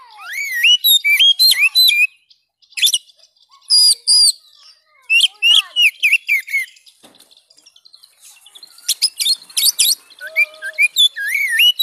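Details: Lively Oriental magpie-robin (kacer) song meant to prompt a stalled bird to sing again: nearly three notes per second, irregularly mixing sweet slurred whistles with raspy chattering bursts and brief silent gaps.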